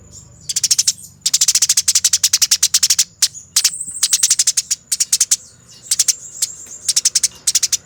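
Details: Fighting Eurasian tree sparrow on a training master: long, rapid, rolling runs of dry, harsh chirps, tightly spaced, in several bursts with short breaks, a faint steady high whine underneath.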